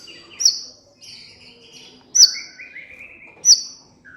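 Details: Sunbird called kolibri ninja, from a master recording used to prompt captive birds to sing: spaced, sharp high notes each sliding down, about every one and a half seconds, with soft thin whistles and wavering tones between them.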